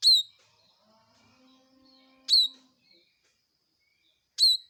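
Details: Loud, clear bar-winged prinia notes: three sharp descending chirps roughly two seconds apart, with faint lower twitters in between.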